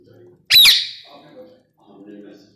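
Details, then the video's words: Talking rose-ringed parakeet giving a single harsh, shrill squawk, loud and broadband, trailing off quickly, with soft murmuring voices before and after. "talking ringneck parrot"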